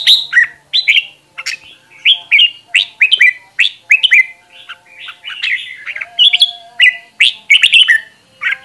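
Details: Several red-whiskered bulbuls kept as decoy birds, recorded as a group singing hard for voice training; lively chirpy phrases tumble one after another, each a short burst of slurred whistles, with barely any pause between them.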